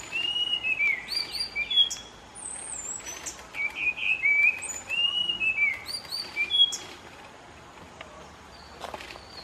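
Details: Spot-winged thrush (Zoothera spiloptera) singing in Sri Lanka on 22 December 2015: rich, varied whistled phrases, slurred and warbling, with short pauses between phrases, over light background hiss.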